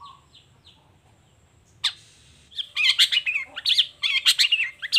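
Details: Long-tailed shrike displaying its varied song in the morning: soft scattered whistles, one harsh burst, then a dense stream of grating, chattering notes rising in intensity.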